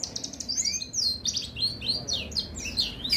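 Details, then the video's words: Oriental white-eye placed by the roadside to encourage it to sing, giving a rapid stream of high, thin, twittering chirps and short rising and falling whistled notes, delivered almost without pause. "Suara burung pleci gacor buka paruh‼️terapi BURUNG PLECI pinggir jalan ampuh untuk penggacoran"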